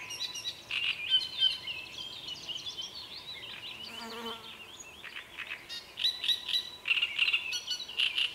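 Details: Great reed warbler delivering croaking, chattering phrases in uneven bursts, loudest near the start and end; a brief insect buzz passes midway while other birds twitter faintly.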